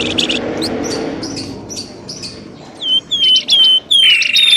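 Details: Birds on a lure track used to bring birds out of scrub: a few quick chirps, then clear, whistled, down-slurred notes repeated about every half second.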